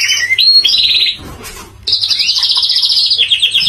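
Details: Canary singing in a contest: bright high warbled phrases, a rapid trilled run, a brief pause near mid-way, then a long sustained fast buzzy trill with slight pitch shifts.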